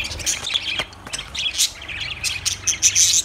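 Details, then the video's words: Lovebirds giving shrill, high chirps and short squawks in quick irregular bursts, some notes piercing and whistled, over a steady low hum. "Lovebirds Sounds Birds Singing"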